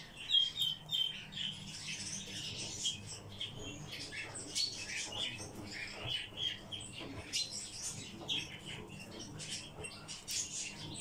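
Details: Several kept Eurasian bullfinches produce a steady stream of high chirps and short piping whistles, overlapping and irregular, over a soft low hum.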